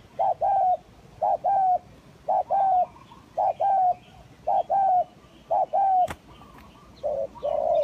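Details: Spotted dove (tekukur), a lure recording of the tekukur kacuk and tekukur kampung types: low, mellow coos in short paired phrases, repeated about once a second with brief pauses, faint higher chirps behind.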